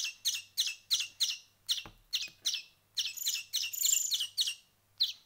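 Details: Finch chicks raised by hand, one week on, giving evenly spaced sharp begging chirps that build into a longer buzzy run, with a faint low hum and one dull knock.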